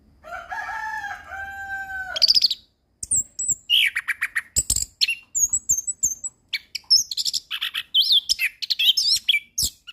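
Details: Orange-headed thrush singing steady, established song as tutoring material: after a drawn-out, lower harmonic sound for about two seconds, a rapid series of bright whistles, down-slurred notes and buzzy trills follows with little pause.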